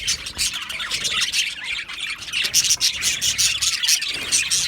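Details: Australian budgerigars in an aviary colony, recorded 12 July 2025: dense, overlapping high chirps and scratchy squawks from many birds at once, with a continuous bright warbling chatter and no pauses.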